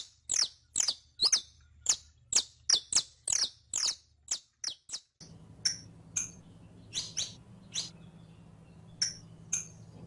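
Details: Saffron finch (canario criollo) sound used to teach a caged bird to sing: a fast series of high, sharp falling chips about twice a second, then sparser notes over a steady low hum.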